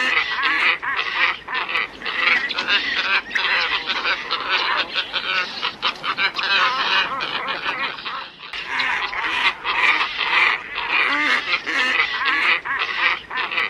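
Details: Glossy ibis, called rokoroko or gajahan, in a long lure recording: a thick wall of overlapping harsh, nasal croaks from a flock, rapid and irregular, with one short quiet gap before the chorus continues.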